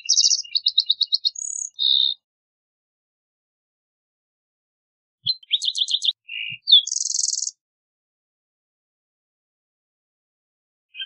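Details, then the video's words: Two green-tailed towhee song phrases separated by a long pause, each mixing clear whistles, rapid repeated chips and dense buzzy trills at high pitch, with a couple of faint soft clicks. "Green Tailed Towhee Singing! Green Tailed Towhee Calling! - Toqui Coliverde Canto"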